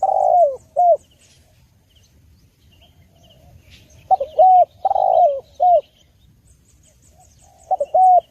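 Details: Spotted dove call intended for luring and training birds: repeated phrases of short stuttering coos, a longer sliding coo and a clipped falling note, with gaps of about three seconds, faint chirps above.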